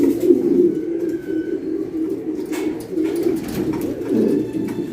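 Pigeons coo in low, soft, rolling murmurs that swell and fade in overlapping phrases, with a faint higher whistle in the background.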